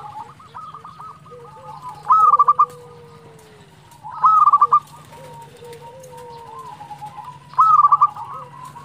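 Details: Local Indonesian zebra dove singing vigorously, a song used to provoke rival birds into answering: three loud bursts of rapid, trilled coo notes about two to three seconds apart, over softer cooing from other doves and a steady low hum.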